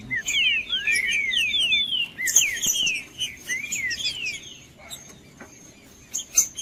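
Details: Caged Green-winged saltator singing, used to warm up cold birds kept for singing tournaments: a rapid run of overlapping whistled slurs, rising and falling, then quieter scattered notes and sharp clicks toward the end.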